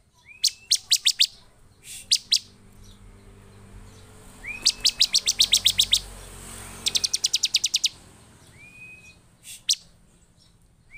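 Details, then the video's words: Bar-winged prinia, agitated and emotional, singing to provoke other prinias into song: bursts of sharp, high ticking notes in rapid series, some slow, others fast trills, with occasional thin rising whistles between bursts. "Burung ciblek penuh EMOSI DAN GACOR efektif memancing ciblek lain cepat bunyi dan emosi"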